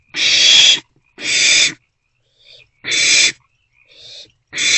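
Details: Owlet trio in a nest box, 13 April 2024, in the morning hours: three loud, noisy, breathy screeches lasting about half a second each, separated by gaps with quieter, fainter hisses from another bird.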